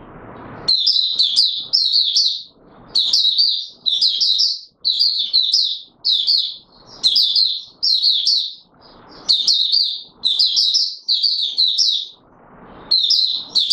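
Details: Continuous volleys of sharp, high twittering from a courting Oriental white-eye (Mata Puteh Raja), recorded 25 January 2022, phrases repeated almost every second with intermittent rustling in the background.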